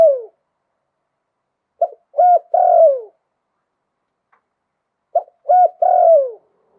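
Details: Spotted dove with a wild voice singing luk tan style coos: two full phrases about three seconds apart, each a short pip, a hollow coo and a long falling croon, with near silence between.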